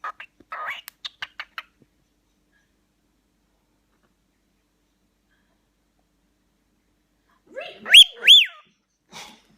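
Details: A talking, whistling one-eyed male pet cockatiel gives quick chattering notes, then two loud, clear whistles that rise and fall, very loud close to the ear.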